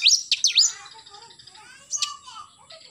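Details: Oriental magpie-robin singing vigorously in the morning: two sharp, high whistled swoops dipping and rising in quick succession, a quieter warbled stretch, then one more bright note near the end.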